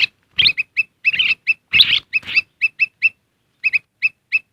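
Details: Black-crested bulbul lure call, said to be tested and to draw wild birds in quickly: bright, short chirped notes, often paired, mixed with harsher chattering bursts early on, then a steady run of quick clipped chirps.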